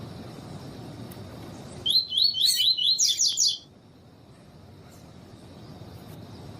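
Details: Captive double-collared seedeater of the tui tui type, used with female calls in training to excite males: a rapid rattle of about ten sharp, high repeated notes lasting nearly two seconds, then faint hiss.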